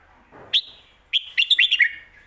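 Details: Red-whiskered bulbul kept for song competitions, performing lak wai and mae bot styles. A single sharp note is followed after a pause by a rapid, lilting run of five bright whistled notes that falls at the end.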